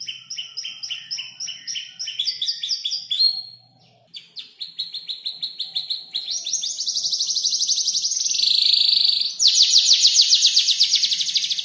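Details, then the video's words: Canary about five months old practising and assembling song from other birds' voices like ciblek, klik-klik and prenjak lumut; fast repeated high notes, a short pause, then long dense buzzy trills and rattling runs. "Kicau burung kenari gacor noto lagu U 5 bulan"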